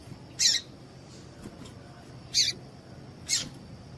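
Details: Female double-collared seedeater, calling to stimulate males into singing, gives three short, harsh, high-pitched notes at irregular intervals over four seconds, against a low hiss and faint continuous high tone.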